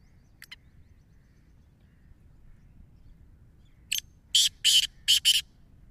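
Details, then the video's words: Black francolin from Punjab giving a loud rasping call, four to five harsh noisy bursts delivered rapidly, after one brief earlier chirp; quiet low hum behind. "kala teetar ki awaz"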